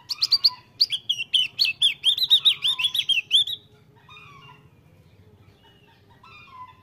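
Javan grey-throated white-eye sings a fast, high, twittering phrase of chirps and warbled notes for about four seconds, then a few softer, scattered notes follow.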